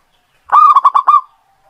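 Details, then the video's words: Local zebra dove singing vigorously, its song used as a lure to set other birds singing: one phrase of a long opening coo followed by four quick, clipped, hollow notes, then silence. "PERKUTUT LOKAL GACOR. COCOK UNTUK PANCINGAN"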